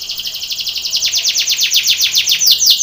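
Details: Belgian canary training song for contest: a high rhythmic trill of repeated sweeping notes, growing louder and slightly slower, about five notes per second.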